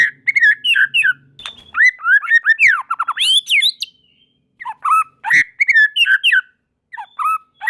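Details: White-rumped shama (murai batu) singing vigorously as other shamas take up the song: dense runs of whistles and slurred notes, a short quiet gap, then repeated three-note whistled phrases.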